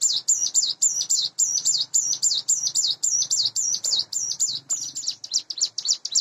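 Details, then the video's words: Caged Sunda bush warbler, hand-reared, about eight months old and in breeding condition, singing in the morning: a continuous chain of high, sharp, hooked notes that speeds into a tighter, faster trill near the end. "suara ciblek gunung / cigun dipagi hari"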